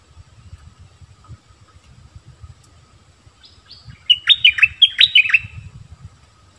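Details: Bulbul (merbah lekir) starting with soft high notes, then giving a loud, quick phrase of piercing whistles that swoop downward, over steady low background rumble.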